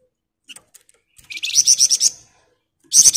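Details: Sunda bush warbler singing actively in dense ngebren style: scattered faint ticks, then a one-second burst of rapid, high, sharp repeated notes, about eight in a row, with another loud burst starting at the end.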